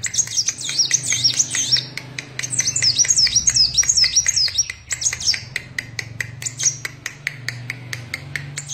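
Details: Captive sunbird singing vigorously: rapid high twittering phrases with thin wavering whistles, in bursts separated by short pauses, over a steady ticking of sharp clicks and a low background hum.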